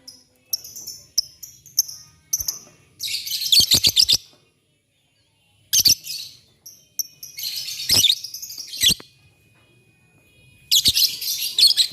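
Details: Morning lovebirds answering one another: dense, shrill, scratchy chattering in bursts of one to two seconds, separated by brief clicks and quiet gaps, with a faint steady tone in one pause.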